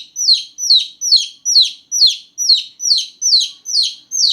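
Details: Newborn chicks chirping loudly after dark: shrill peeps that drop in pitch, repeated about ten times at an even, insistent rhythm near two per second.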